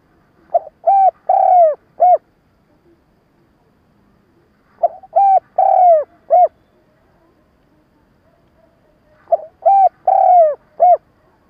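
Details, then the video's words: Spotted dove lure call for trapping, stuttering gù-gáy cooing: three bursts of quick low hoots, each with a longer falling coo near its end, repeated about every four seconds in quiet surroundings. "Tiếng cu gáy mồi cà lăm gù - gáy - thúc kích bổi nhanh nổi / Cu gáy kích bổi nghe là gáy"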